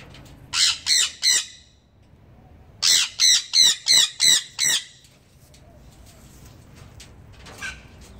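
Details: Breeding pair of sun conures give loud, harsh screeching squawks in quick bursts of three and five.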